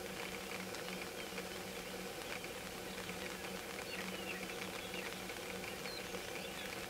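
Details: Sharp-tailed grouse at a lek doing their courtship mating dance in the early morning of 5 May 2019, as rain begins. Fast, machine-like rattling patter over low, steady humming coos in short runs, with faint high chirps behind.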